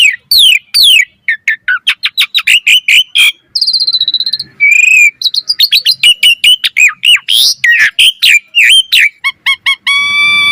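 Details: Asian pied starling in continuous song used to train other starlings, rapid ticking notes and repeated slurred whistles, a buzzy trill, and a closing drawn-out harmonic whistle.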